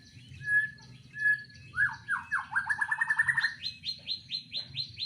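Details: Caged white-rumped shama singing in a breeding enclosure: short high whistles, then a rapid accelerating trill of descending slurred notes that jumps higher into a fast repeated chirping series.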